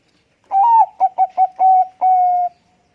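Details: Loud-voiced Bangkok-type zebra dove (perkutut bangkok) singing as a lure to draw replies. A rising, mellow opening coo is followed by four quick stuttered notes, then two long level hooting notes, on a clean, quiet background.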